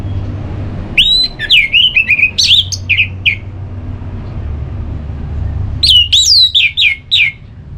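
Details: Orange-headed thrush giving ngeplong song to stir another bird to sing: two bursts of varied, swooping whistles separated by a few seconds' pause, with a continuous low hum behind.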